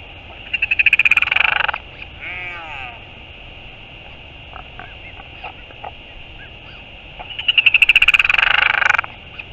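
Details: Northern royal albatross returning to the nest on 4 June 2022: two harsh, rapidly pulsed calls of about a second each, separated by a few seconds of quieter clicks and low background rumble.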